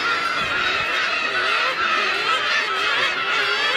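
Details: Many black-tailed gulls calling together at Kabushima on New Year's Day 2015 in winter; harsh, nasal mewing notes overlap in a constant din, some cries wavering and some dropping in pitch.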